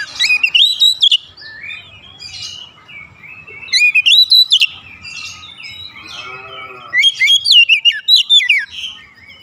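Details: Kacer, the oriental magpie-robin, sings as a rousing lure: three bursts of sharp, warbled, up-and-down whistles, each about a second long, separated by quieter trailing notes and a faint low hum.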